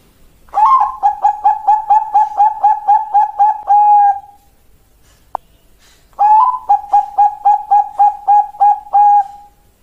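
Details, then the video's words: Zebra dove of the Bangkok perkutut contest class giving two song phrases, each a rapid run of about a dozen clear, hollow coos at a steady pitch that ends in a drawn-out tone. A single sharp click falls between them. "Perkutut Bangkok kelas lomba"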